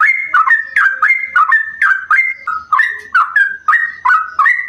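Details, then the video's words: Lure recording of a sooty-headed bulbul's long trill resembling a straw-headed bulbul: an unbroken stream of rich, warbling whistled phrases that swing up and down, with short gurgled notes between them. "trucuk Gacor rasa Cucak Rowo"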